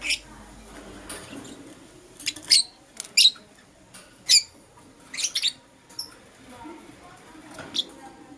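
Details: Morning chirping from lovebirds, Euwing Green Opaline and Lutino: spaced, piercing high chirps, sometimes in pairs, roughly one every second, against a quiet low murmur.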